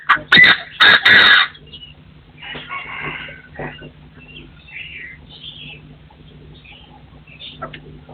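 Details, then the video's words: Partridge crowing in 2024: loud harsh rasping bursts packed into the first second and a half, then quieter scattered chirps from other birds over a steady low hum. "The latest sound of partridges in 2024 crowing"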